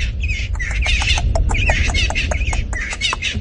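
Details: Natal spurfowl calling very loudly, for no apparent reason, during an afternoon game drive at Djuma Game Reserve, Sabi Sand, South Africa; harsh repeated squawking notes with rising and falling contours run densely throughout, over low rumbling vehicle noise.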